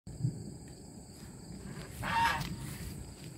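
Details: Pet geese kept with ducks, calling out after their owner hides out of sight; a single brief nasal honk near the two-second mark, with low rumbling background noise and a steady high insect-like hum.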